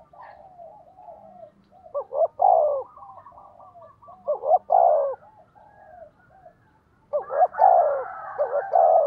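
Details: Spotted dove decoy bird cooing at a fast tempo to lure wild doves into calling: soft, low cooing phrases, each swelling from a muffled roll into two or three louder hollow notes, sounding in three bursts with quiet gaps.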